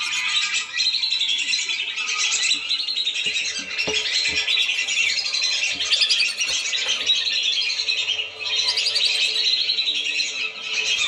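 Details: Lesser whistling duck lure recording to bring the birds down: a thick chorus of sharp, high whistles and chatter runs on continuously, with a brief dip near the eighth second and faint low knocks beneath.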